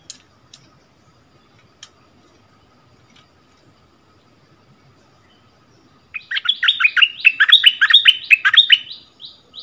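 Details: Song contest between a returning decoy bulbul and a newly settled resident bird, February 2021: six seconds of near silence with a few faint ticks, then a dense, vigorous stream of chattering, warbled phrases.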